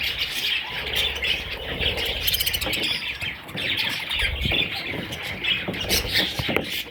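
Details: Several parrot chicks chirping and squeaking continuously in overlapping high notes, with a busy background hiss throughout.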